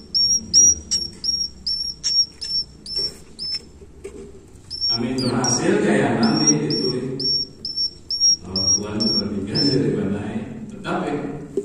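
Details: Swiftlet chicks utter short, sharp, high chirps, clean and well spaced at first. A loud, broad rumbling noise then masks the middle stretch, and the chirps return more sparsely afterward.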